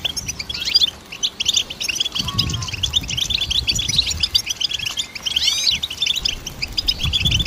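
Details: Goldfinch song for training songbirds: rapid high chirping and trills with a short low whistle early on and a cluster of rising slurred notes toward the end.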